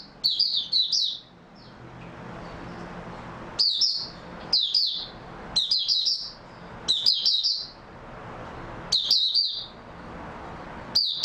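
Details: Oriental white-eye, recorded on 3 March 2022, delivers short, rapid phrases of high, sweet twittering notes, each about a second long and repeated every one to two seconds over a low steady background hum.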